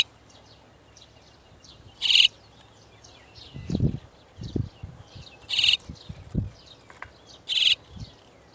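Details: Chestnut-tailed starling parents coming to bring their chicks out of the nest give three harsh, scratchy calls a few seconds apart over constant faint high twittering, with some low thumps in between.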